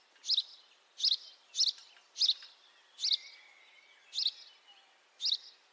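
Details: House sparrow chirping recorded in high definition: seven loud, rasping chirps at irregular intervals of about half a second to one second, with a faint steady whistle in between.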